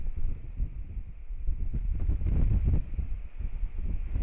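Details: Low rumbling wind buffets the microphone at an osprey nest in Kurzeme, Latvia, at the start of the breeding season, with a faint steady tone; no bird calls are heard.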